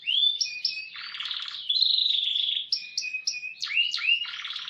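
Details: Canary song for tutoring: varied whistled slurs, short steady tones, and buzzy rattling bursts alternate in a lively sequence.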